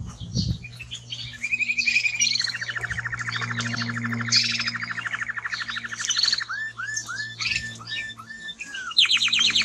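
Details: Timbrado canary delivering a strong song with a long low rolled trill of several seconds, then repeated curved whistles and a burst of high chirps, with a faint steady hum beneath.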